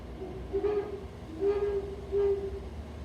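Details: Great horned owl of the Pacific Northwest giving three deep, even hoots, each under half a second, spaced under a second apart over a faint low rumble.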